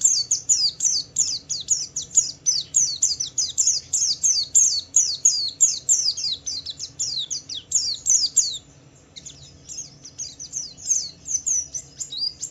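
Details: Pleci (white-eye) singing gacor, meant to make other white-eyes answer and sing: a fast, steady series of high, sharply falling chirps, about three per second, with a short gap near the middle before resuming.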